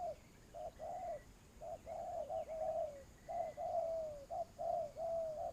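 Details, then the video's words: Spotted dove used as a lure bird for trapping, cooing steadily in low notes, short and long alternating, the long ones sliding down; a thin higher twitter from another bird runs alongside. "tiếng chim cu gáy"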